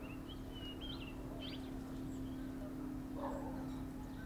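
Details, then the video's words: Grey-hooded warbler recorded in Uttarakhand giving a few clear whistled notes, some with a quick upward flick and one looping higher note, followed by faint softer chips, against a constant low hum. "Grey-hooded Warbler in Uttarakhand"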